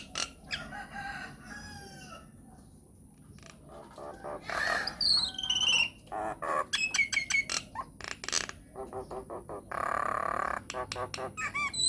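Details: Myna singing as a lure for other mynas. A mix of wavering whistles, harsh squawks and a long grating buzz is followed by rapid clicks and chattering notes.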